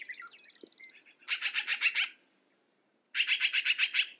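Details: Two runs of coarse, rapid chattering from a black-billed magpie, each of about seven harsh notes, with a quick high buzzing trill and thin chirps from other birds at the start.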